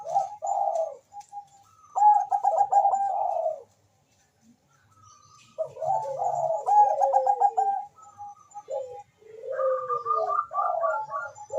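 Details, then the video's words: Rapidly calling Bangkok zebra dove answered by a rival: bursts of quick stuttered notes and rolling coos, a quiet stretch, then overlapping phrases from both birds with downward-sliding coos. "suara perkutut bangkok gacor memanggil sangat cepat di sahut lawan cocok untuk pancingan"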